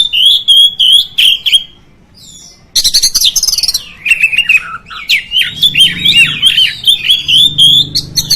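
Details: Oriental magpie-robin song played to provoke other magpie-robins: repeated sharp whistled notes, a short gap, then a dense burst of harsh chatter flowing into long rising and falling warbled phrases.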